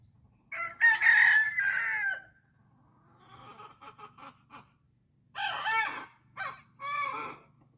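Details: Chicken on an island calling loudly: harsh, rasping crowing bursts about a second long, then a stretch of softer broken clucks, then further loud crowing phrases and short squawks separated by brief pauses.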